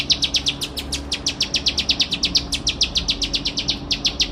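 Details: Tutor recording of a bar-winged prinia (ciblek sawah) singing nonstop: rapid, high, slightly downslurred chip notes repeated about five times a second, unbroken over a quiet hiss of background noise.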